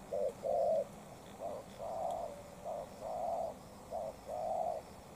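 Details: Spotted dove, a tailless decoy dueling with a wild dove. A steady run of low, hollow coo pairs, short then long, comes roughly every second, the first loudest and the rest slightly softer.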